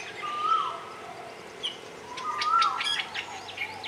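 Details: Grey-eyed bulbul on Ko Lanta, Thailand: two short, slightly rising notes that slur downward, about two seconds apart, with thin higher chirps from other birds in between.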